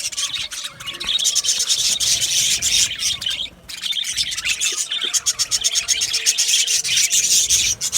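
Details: Budgerigar colony in an aviary, many birds chirping and warbling together in a dense, continuous high-pitched chatter with rapid scratchy notes and brief pauses.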